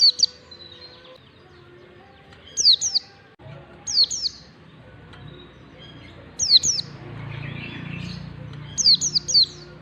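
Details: Ngalas-style song of an Oriental white-eye, played as a lure for young birds learning to sing: four bursts of sharp, high, downslurred whistles grouped in twos and threes, with a soft low rumble in the background.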